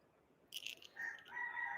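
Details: Roosters crowing at 6 a.m. in Hawaii: a drawn-out crow, a harsh, sustained, slightly wavering note held for most of a second, after a brief scratchy burst of other noise.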